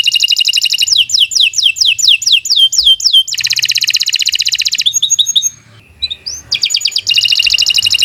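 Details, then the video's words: Canary song intended as master tutoring material, mixing rapid buzzy trills, a series of falling slurred whistles, a long steady high rattle, scattered chips during a short lull, then trilling again. "Kicau Burung Kenari 123 II LUAR BIASA GACOR PANJANG Cocok untuk Masteran"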